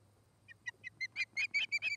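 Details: Osprey calling at its nest in Charlo, Montana, recorded by a nest camera in August: a brief accelerating series of high piercing whistles that grows louder and rougher with each note, over faint background hum.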